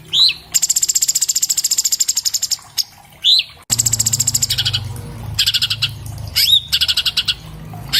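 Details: Orange-bellied leafbird (Chloropsis hardwickii) in captivity, recorded with an iPhone 7 Plus to teach other birds, delivers long buzzy, rapid trills interspersed with sharp rising whistled slurs, brief pauses between bursts, low hum underneath.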